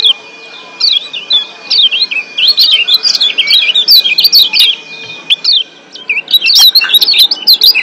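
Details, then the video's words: Excited chorus of wild Lombok white-eyes for boosting breeding drive: almost continuous high, twisting chirps and twitters with short pauses, busiest at the middle and close. "Ciak Joss Kecial Kuning GEBOKAN LIAR Ampuh Naikin BIRAHI Bikin AKTIF BUNYI"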